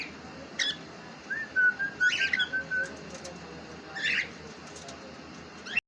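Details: A pet cockatiel gives a long, clear, level whistle broken into pulses, with harsh, short burst-like notes before and after it over a constant background hiss.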